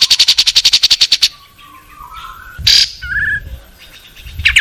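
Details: Long-tailed shrike tutoring song, recorded 16 May 2022 in a home yard and rice field with a Samsung M30 phone: a rapid even buzzy trill of about a dozen pulses, then faint lower notes and one loud harsh burst.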